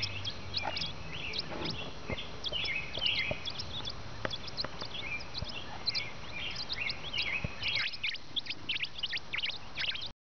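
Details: Nestling birds calling while they wait for both parents to bring food, giving a busy stream of high, sharp chirps and brief squeaky notes from several chicks at once, with a steady low hum underneath.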